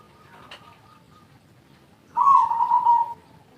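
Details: Spotted dove (tekukur), used as a lure call, delivering a single drawn-out, buzzy coo that fades gently downward, with soft background hiss.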